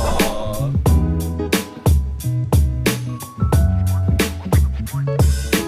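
Funky music with a heavy bass line, sustained keyboard chords and sharp percussive hits, with no animal voice anywhere.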